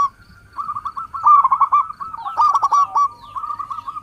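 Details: Local zebra dove song, used as a lure to draw in wild birds, where birds answer one another: long runs of quick, stuttering mid-pitched notes with brief louder rattling bursts, sustained for almost the whole stretch.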